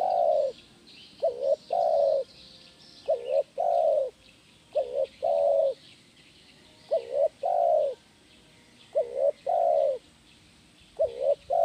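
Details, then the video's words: Kuk 1 style spotted dove song, played to train other birds, with about six repeated phrases. Each phrase is a brief soft note and then a longer hollow coo, recurring roughly every two seconds, with faint high chirping far in the background. "SUARA BURUNG TEKUKUR KUK 1 GACOR"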